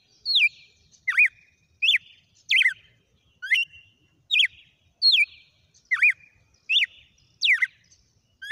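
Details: Red-cowled cardinal delivering a lively run of about twelve clear whistled notes, each a quick slurred up- or down-sweep, repeated at a brisk, slightly uneven pace with no other sounds.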